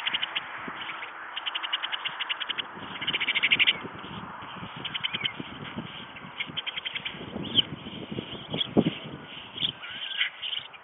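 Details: White storks at a nest in Ostrołęka, Poland, during feeding; bursts of fast, dry rattling pulses come in short series between one and four seconds, followed by scattered knocks and rustling sounds from the nest.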